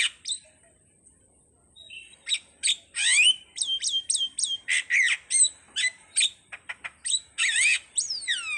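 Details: Jalak starling song, anak rimba style: after a quiet start, a busy string of sharp chips and buzzy notes, then repeated hooked whistles and downward-slurred squeals toward the end.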